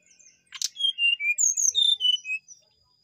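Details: Brown-chested jungle flycatcher song: after a brief harsh click, a quick bright phrase of high whistles dropping in pitch note by note, ending with a soft trailing note.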